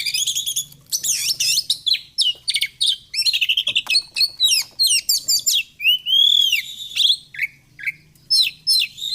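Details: Oriental magpie-robin in continuous 'gacor fighter' song, played as therapy for quiet birds: dense, varied rapid-fire phrases of high chirps, trills and arching whistles with barely a pause, over a soft low hum.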